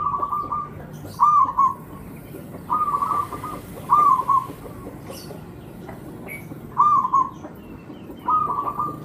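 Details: Javanese local zebra dove singing as a lure recording: short, rolling cooing phrases repeated roughly every one and a half seconds, separated by quiet gaps, with faint background hiss.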